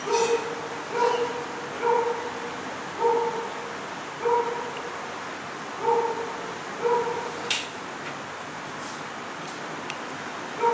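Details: A hornbill that came back to visit gives a run of about nine evenly spaced honking calls, then falls silent amid background hiss and an occasional click.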